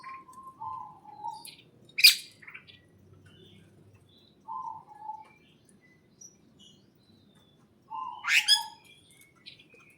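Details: Chirping birds inside a greenhouse, with short low whistled phrases recurring every few seconds and two loud sharp bursts of chirps rising high, separated by quiet gaps.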